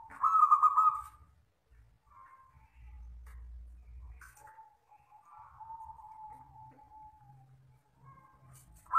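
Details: Local wild zebra dove singing in the long 'kristal' style. One loud rolling coo opens, then quieter drawn-out tones slowly slide downward, with faint low rumble beneath.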